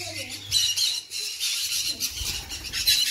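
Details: Sun conure parrot giving harsh, raspy squawks in a series of dense noisy bursts, loudest around half a second and near the end, with faint low rumbling in a small indoor room.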